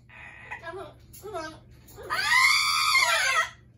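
An Amazon parrot gives two short, harsh squawks, then a loud, raspy scream of over a second that swells and fades, indoors.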